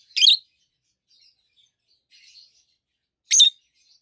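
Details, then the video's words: Two healthy adult rosy-faced (peach-faced) lovebirds, both green, one red-faced and one yellowish-white-faced, chirping: two loud, harsh, high shrieks about three seconds apart, with faint softer chatter between them. "Lovebirds Sounds - Peach-faced Lovebird"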